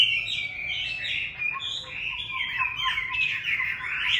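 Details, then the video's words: A pet Chinese hwamei bound for a new owner sings fast, varied, fluty phrases with sweeping rises and falls. A quieter, level whistled tone sounds underneath in the middle. "Hót xong về chủ mới cho ấm nhé chú Hoạ Mi"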